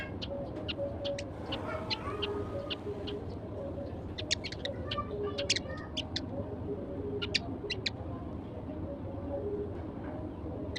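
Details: Sparrows having breakfast at sunrise, with only a few present, give bright, clipped chirps in loose clusters, briefly denser in the middle, against a constant low rumble and soft steady tones.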